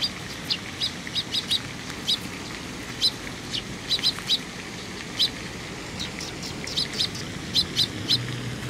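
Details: Young sparrows coming for food at a Tenmangū shrine on 18 May 2021: short, bright chirps in quick pairs and clusters, scattered irregularly throughout, over a soft steady background hiss.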